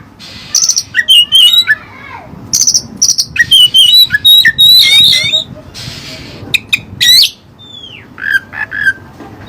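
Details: Oriental magpie-robin (kacer) singing Cililin song material: bursts of buzzy notes alternating with bright whistled twists and rapid warbles, a harsh hiss, then a clean descending whistle and a few sharp chips.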